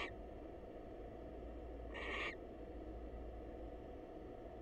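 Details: Wild female barn owl visiting a male at a monitored nest box, calling to say hello: one short harsh hissing screech about a third of a second long, set against steady low background hum.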